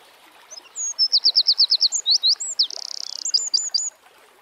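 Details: Wild Eurasian wren song, a high, ringing phrase of quick repeated notes that runs into a dense buzzing trill and ends in several crisp chirps. Quiet natural background.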